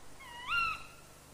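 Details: A young tawny owl that has left the nest and sits motionless on a branch gives a single drawn-out, slightly rising note, thin and a little wheezy, lasting under a second against a quiet background.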